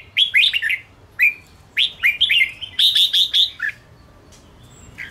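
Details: Red-whiskered bulbul of the Ché type giving a fighting song meant to provoke rival birds. Bright, rapid whistled phrases of several rising and falling notes, delivered in bursts with short pauses, the last phrase clearly louder.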